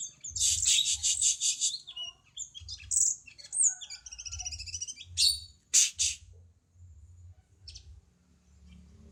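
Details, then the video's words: Cucak cungkok bulbul singing for a songbird tutor recording: a fast rattling burst of high buzzy pulses, then scattered chirps, sharp high-pitched notes and a couple of loud clicks before it fades over a faint low hum. "Cungko masteran burung kicau"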